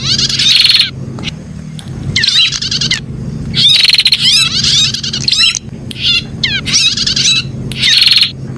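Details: Prenjak (prinia) 'pijat' song: energetic harsh rattles alternating with fast slurred trilled phrases in dense bursts about every second, with a faint steady low hum underneath.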